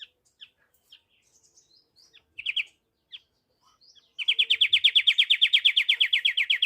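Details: Pied triller: a few sparse high chips and a short buzzy burst, then a loud, rapid trill of evenly spaced slurred notes, about six per second, continuing to the end.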